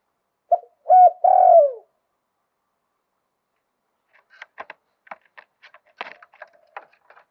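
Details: One lio tan song phrase from a Thai zebra dove with a wild-type voice: a short note, a hooked note and a rolling, falling coo. A run of faint, irregular tapping clicks follows the phrase.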